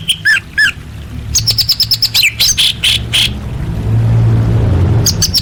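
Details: Orange-headed thrush singing as masteran material: two looping whistles, then a fast, regular series of high clipped notes and bright slurred whistles, ending quietly, with a deep hum in the background.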